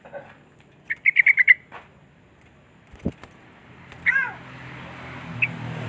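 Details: Sooty-headed bulbul calling rivals: a fast run of five bright chattering notes, a sharp knock, then a slurred, wavering downward call and a later short chirp over soft background noise.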